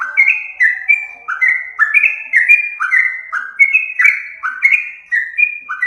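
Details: Yellow-vented bulbul song for luring birds, loud and clean: paired whistled notes, a rising slur followed by a steady higher tone, repeated roughly twice a second without pause.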